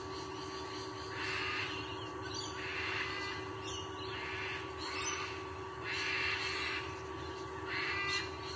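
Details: At a sea eagle nest in Sydney, Australia, the male calls with loud, harsh honks, each about half a second long, repeated roughly every one and a half seconds, against a steady background hum.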